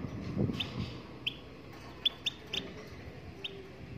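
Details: Goldfinch from Morocco in song, giving five or six isolated bright chirps spaced unevenly over a few seconds, with a soft low thump near the start and faint background hum.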